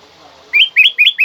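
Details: Black-crested bulbul singing loudly and clearly to prompt other birds to sing: after a quiet start, four rapid whistled notes, each sweeping upward then flattening, delivered in under a second against a silent background.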